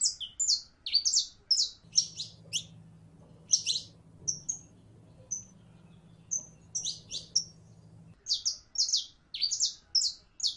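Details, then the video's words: A female canary in heat calls a male to mate, uttering bursts of sharp, high chirps, then a pause with a few thin whistled notes over a low hum, then renewed quick chirping. "15 MINUTOS DE HEMBRA EN CELO LLAMANDO A MACHO CANARIO PARA APAREARSE"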